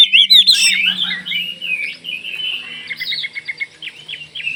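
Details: Kalimantan Oriental magpie-robin, song used to draw other magpie-robins into answering: bright whistled slurs at first, then softer warbling and a rapid stuttering series of notes.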